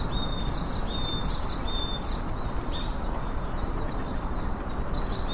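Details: Chopi blackbird delivering rapid high chirps and thin level whistles in quick succession, partly buried under a steady low-frequency roar of outdoor noise.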